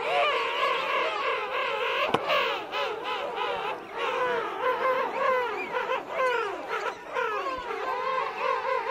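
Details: King penguin colony of adults and chicks at Right Whale Bay, adults calling close up; continuous overlapping warbling trumpet calls with quivering, looping pitch, one sharp click near two seconds, the chorus dipping briefly before swelling again.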